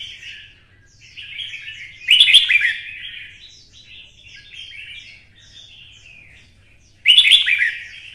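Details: Red-whiskered bulbul singing hard for a song fight, twisting-voice style: a loud, rich warbled phrase with sharp clicks, then soft chatter, then another loud phrase about five seconds later.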